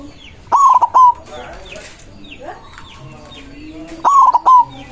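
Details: Fired-up white zebra dove performing on its perch, its big voice used to summon rivals: bursts of rapid, trilled triple coos open and close the stretch, and thin sliding chirps from other birds fill the gap.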